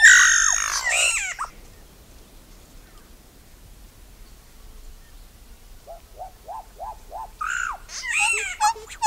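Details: Solitary black cacique (Cacicus solitarius): a loud burst of harsh, nasal, squealing notes, then a quiet gap, a run of six short rising whistles, and a final jumble of sharp squeaky and metallic calls.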